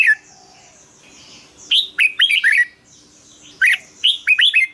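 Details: Red-whiskered bulbul song played to rouse caged birds: after a brief note and a quiet pause, two lively whistled phrases of several swooping notes follow, with a soft faint chatter behind.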